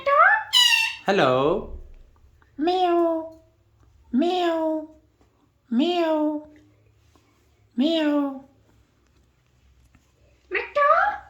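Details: Alexandrine parakeet talking in a string of drawn-out, falling, nasal meow-like calls, roughly one every one and a half seconds, after a sharp high squeal at the start.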